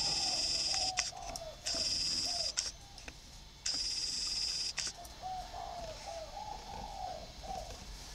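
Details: Caged spotted doves, housed in a round bamboo cage and an iron cage, repeating low, rolling coos through the clip, partly masked by bursts of loud, high mechanical whine and clicks.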